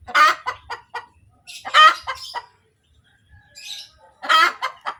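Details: After laying an egg, a hen cackles in three loud harsh bouts of quick clucks, each peaking in a strained cry, separated by brief quieter gaps with faint low background noise.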